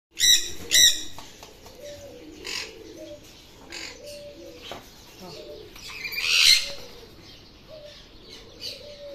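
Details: A large Pakistani-type talking Alexandrine parakeet in Dhaka, Bangladesh, gives two loud, harsh screeches close together, then softer chattering notes and one more rasping squawk, over faint low background murmur.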